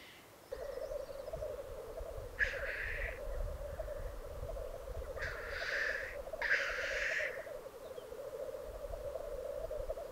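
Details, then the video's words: Black grouse at a lek in the Piedmont Alps, Italy: steady low bubbling rookooing drone for about ten seconds, with three harsh hissing bursts and low background rumble. "Parate dei Galli Forcello 2022"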